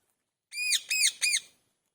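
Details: Parrot giving natural calls: three loud harsh squawks in quick succession, each arched and rising then falling, evenly spaced about a third of a second apart.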